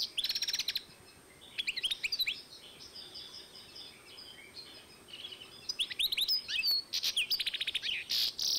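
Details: European goldfinch and canary hybrid recorded in 2012, singing bursts of rapid high chirps and twittering runs with sweeping notes, a quieter pause midway, then more fast trills and buzzy phrases.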